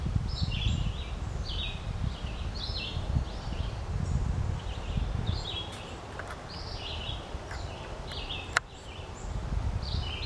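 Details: Green-winged teals gathered at Spooner Island in Hampton, New Brunswick, give a steady stream of brief, high, piping whistles from several birds, over a constant low wind rumble with a sharp click near the end.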